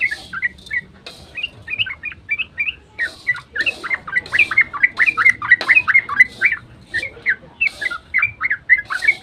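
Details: Yellow-vented bulbul in a fast dawn ropel, played to lure other bulbuls into singing; hurried, overlapping bubbling notes that start thin, then swell into a dense run of quick chirps with a few sharp clicks.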